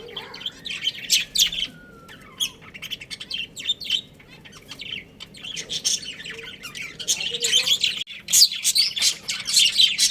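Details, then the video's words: Pet budgerigars from a breeding pair chatter in fast, high, scratchy chirps, sparse at first and then building into a dense burst of rapid twittering in the second half, with a soft background hum. "Adorable Budgies Chirping Sounds"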